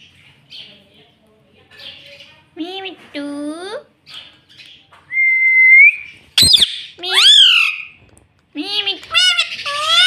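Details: A pet rose-ringed parakeet (ringneck, green parrot) talking and reportedly saying "mummy": a run of harmonic, voice-like syllables, some bending up and down, a short pure whistled tone midway, then louder clipped squawky words in quick bursts near the end.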